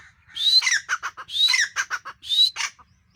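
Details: Calling female teetar (grey francolin): three loud upslurred whistles, each trailed by a quick cluster of grating notes, spaced roughly a second apart.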